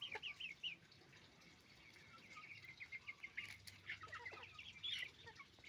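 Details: Hens and roosters on a farm, heard as scattered rising clucks and squawks, with wing flapping and a brief rustle partway through, over a soft background hum.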